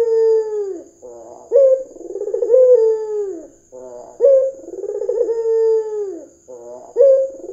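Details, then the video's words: Lively red-eyed white dove used as a calling lure: repeated cycles of a short sharp note, a bubbling roll and a long sliding coo dropping in pitch, about every three seconds; thin constant electronic tone in the background. "PANCINGAN PUTER PUTIH MATA MERAH GACOR"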